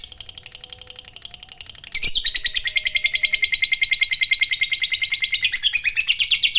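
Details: Fighter lovebird in full ngekek panjang, a long trill meant to provoke rival lovebirds: quieter chatter first, then an abrupt loud, grating, evenly pulsed trill of roughly seven beats per second continuing to the end.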